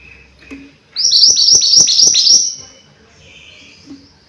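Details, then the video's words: Lively singing from a mountain white-eye: soft chirps, then a loud, rapid string of sharp, high, slurred notes lasting about one and a half seconds, followed by quieter thin twittering. "Burung MANTENAN GUNUNG Gacor"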